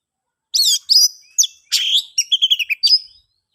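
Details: Natural ngeplong song of an oriental magpie-robin, used to coax silent magpie-robins into song: a string of sharp, slurred whistles, a harsh buzzy note, then quick chattering notes and a final downslurred whistle, with no other sounds.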